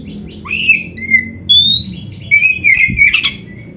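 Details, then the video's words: Oriental magpie-robin in full song with filler phrases: separate clear whistles, one long rising and level, followed by a fast wavering warbled run and a short harsh burst. "Kacer gacor full isian RAPET"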